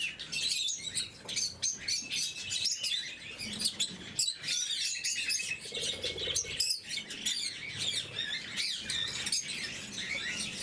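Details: Group of blue-mutation lovebirds at their morning feed, a constant flock chatter of piercing high tweets and quick squeaks, with faint low rustling beneath.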